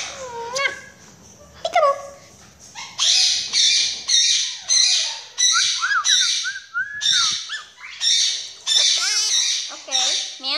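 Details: Pet Quaker parakeet calling for its owner, "mommy": a few thin whistled notes, then a run of loud, harsh, buzzy squawks repeated about every half second, with some rising and falling whistled notes mixed in.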